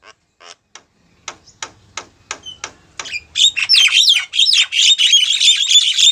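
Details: Female Javan myna calling to a male: a few spaced clicking ticks, then a loud dense stream of harsh, squeaky high chatter with whistled notes.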